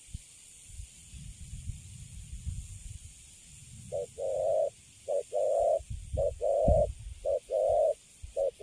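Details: Cấn Sấm spotted dove, caught and caged, starts cooing after a few seconds of low background rumble. Paired short and long soft notes then repeat roughly once a second.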